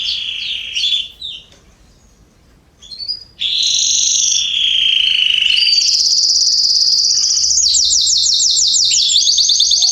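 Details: Canaries singing in a garden in September 2020: varied high song with buzzy sustained trills, a short pause near the middle, then rapid repeated notes and rolling tours.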